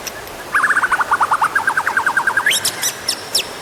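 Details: White-rumped shama singing to prompt other birds: a fast series of about twenty clipped, repeated notes at a steady pitch, then an abrupt climb into sharp, very high chips, with background hiss.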